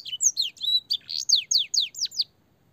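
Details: Master song of a canary, with blackthroat and sanger phrasing, for young canaries to copy: about ten sharp downswept whistled notes in quick succession, then the phrase stops and silence follows.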